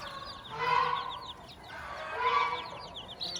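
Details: Hen on a farm with her chicks, giving two drawn-out nasal calls about a second and a half apart, while the chicks keep up rapid, high, falling peeps throughout.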